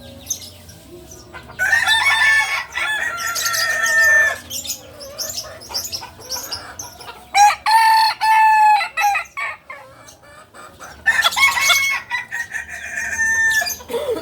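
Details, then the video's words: Kukuak Balenggek roosters at a 2023 crowing contest and record event in Padang, Indonesia: long, sustained, tonal crows with stepped pitch changes, in several bursts separated by quieter gaps, with overlapping crowing from other roosters and crowd background. "Ayam kukuak balenggek"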